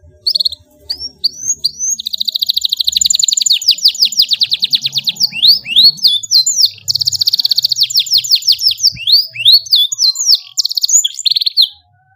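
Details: Canary with an energetic, long-phrased song kept as a tutor recording for young birds: rapid trills of repeated high notes alternate with upward-sweeping whistles, running nearly continuously for twelve seconds.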